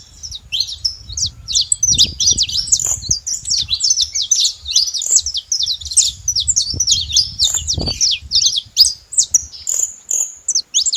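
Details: Saffron finches crowd a feeding station, their high, rapid chirps and twitters running almost nonstop for eleven seconds above intermittent low background noise.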